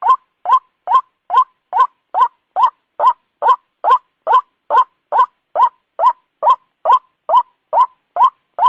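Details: Night calling of a white-breasted waterhen, used as a lure: loud, even croaks, about twenty in quick succession at a very regular beat of roughly two per second, each note slightly rising, against silence.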